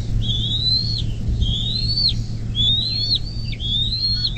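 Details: Bald eagle at a nest cam along the Little Miami River near South Lebanon, southwest Ohio, USA, 24 May 2024, mid-morning: thin, high whistled notes that rise then drop sharply, repeated about every second over a steady low hum.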